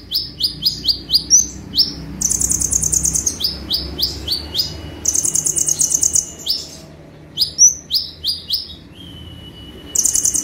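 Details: Konin sunbird singing 'full tembakan' style: bursts of quick, high, downward-slurred chips alternating with fast buzzy rattling trills, each phrase repeating after a short pause, with a faint steady hum behind.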